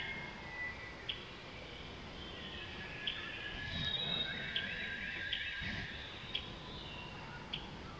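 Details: A female Blue-capped redstart at Pelling, Sikkim, India, in May 2018 gives sharp, high, dry ticks spaced irregularly, roughly one every second or so, over a steady hiss of background noise.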